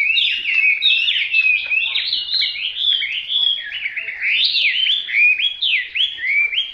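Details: Hwamei pouring out a long, unbroken song of bright, varied whistles, rising and falling slurs strung tightly together with steady loudness throughout.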